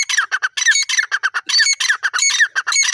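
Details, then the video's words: A desi teetar (francolin) gives loud, harsh, squawking notes in a fast run, several per second, each with a shrill, slightly falling ring. "teetar awaaz"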